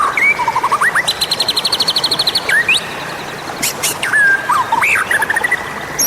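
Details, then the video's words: Magpie-robin calling sound used to lure wild birds: clear whistled slurs, rising and falling, broken by a fast rattling run of repeated high notes, then more swooping whistles. "SUARA PEMANGGIL Burung Murai Liar"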